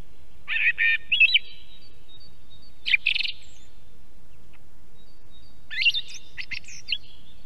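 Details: Wild song thrush singing in Estonia beside an osprey nest camera. Loud, varied phrases: a doubled rich note, a short fluty motif, an abrupt emphatic burst, then a tumbling series of whistles and clicks, with gaps between phrases.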